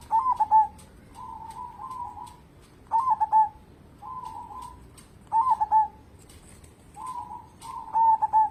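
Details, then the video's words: Zebra dove of a local strain, singing steadily as a lure to prompt others: loud staccato trilled coos alternate with softer smooth cooing phrases, repeating roughly every one and a half seconds. "burung perkutut lokal gacor cocok buat pancingan"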